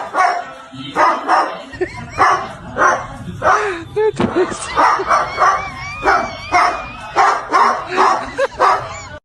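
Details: Pet parrot making loud bursts of harsh squawks and speech-like chattering syllables at an uneven rhythm, with a wavering whistled tone running through the middle.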